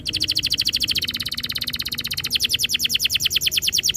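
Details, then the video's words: Canary song used as a lure to make other canaries sing and roll. A fast, even trill of bright chipping notes, about three per second, continues throughout with little change. "Suara mastetan burung kenari _ PANCINGAN AMPUH KENARI BIKIN CEPAT BUNYI NGEROL GACOR"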